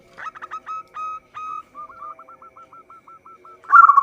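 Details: Actively singing local zebra dove, a recording meant as a lure for trapping: a quick run of clipped coos, then evenly spaced short hooked notes repeating about five per second, ending in a loud rolling burst.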